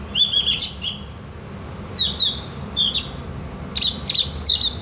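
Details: Javan grey-throated white-eye, recorded for tutoring cage birds to chatter and sing: short bursts of high, thin chirping twitters in several clusters separated by brief pauses, over a steady low background hum.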